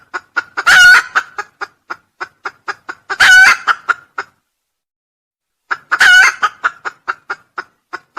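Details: Crowing red junglefowl, recorded for use as a lure: three loud, harsh, ringing crows about two to three seconds apart, each set among rapid runs of short clipped clucks, with a quiet gap before the last crow.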